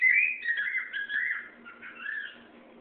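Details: Pet cockatiel singing indoors, a continuous wavering whistle that slides down and up in pitch, fading toward the end.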